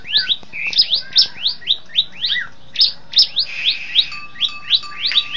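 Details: Caged bar-winged prinia (ciblek putih) training for contests so it gets used to the competition field: rapid series of sharp, high, downslurred chirps, about three to four per second, with a steady low tone late in the clip.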